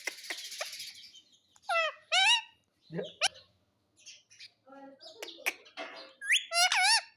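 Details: Pet parrot in a happy mood, mixing short sharp squawks, warbling bent notes and soft chatter, ending with a run of loud wavering screeches.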